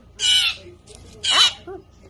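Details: Young hand-raised blue jay begging for food as a Cheez-It is held out: two loud raspy screams about a second apart, with a faint, short, lower squeak after the second and a brief weak rasp between them.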